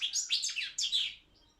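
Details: European goldfinch, balcanica race, a contestant in an online goldfinch song championship: a short run of four or five quick liquid twittering notes, fading away at the end.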